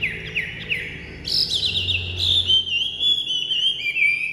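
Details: Chinese hwamei kept in a cage, newly taken from its transport box, gives a few short slurred whistles, then a loud leap into a long ringing phrase of bright, wavering whistled notes.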